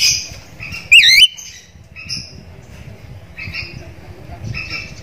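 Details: Javan myna call used as a lure to provoke silent mynas into calling: one loud harsh wavering squawk, with softer buzzy two-band calls repeated before and after.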